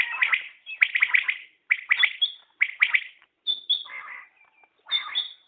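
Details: Common quail calls in quick chirping bursts of two or three notes, with some thinner whistled tones mixed in toward the end and short gaps between phrases.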